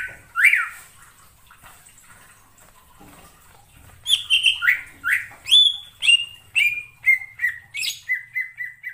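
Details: Greater green leafbird in the wild forest. A single loud downslurred note near the start, then from four seconds a steady run of bright whistled notes, each sliding down, with the last ones shorter and quicker. Faint background hum.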